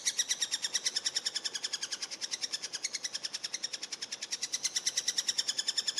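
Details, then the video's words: Eurasian three-toed woodpecker during feeding: a fast, steady chatter of thin, high notes, about seven per second, running without a break through the whole stretch, with no other clear sounds. "Dreizehenspecht beim Füttern"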